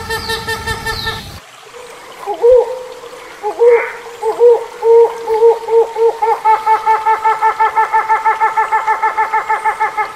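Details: Hornbill giving a series of low, hollow hoots, first spaced and swooping, then quickening into a fast, steady string of clipped honking notes that rises in rate over about eight seconds.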